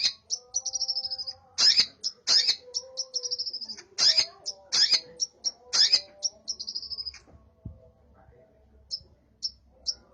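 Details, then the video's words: Long-tailed shrike singing with burung gereja (sparrow) mimicry: thin high trills broken by loud, harsh chirp bursts every second or so, then a pause and a few isolated high chips. "cendet gacor isian burung gereja"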